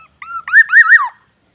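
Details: Black-naped oriole from Aceh: a short whistle, a longer level whistle, then a rich liquid phrase of three looping, rising-falling notes sliding downward, loud and clear.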